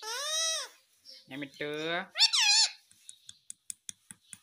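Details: Pet parrot producing clear, high-pitched, word-like tones in a few drawn-out syllables, followed by a string of sharp, evenly spaced clicks.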